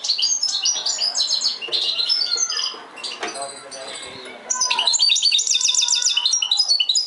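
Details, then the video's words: European goldfinch giving a mixed song of rapid tinkling twitters and scratchy notes, softer in the middle, then a loud fast repeated trill. "mixto de jilguero"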